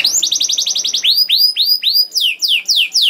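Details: Canary song used as a prompt for other canaries: a quick trill of rising notes gives way to slower, loud down-slurred whistles repeated about four per second, bright and clean.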